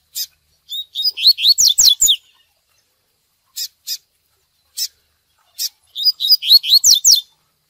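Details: Double-collared seedeater singing the "tui tui" style of song, used for training birds: two bursts of rapid, high, sweeping whistled notes, each run rising and falling, with a few isolated sharp chips between them.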